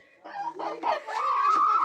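A rooster gives a short crow, clucking notes rising into a sustained, slightly wavering tone.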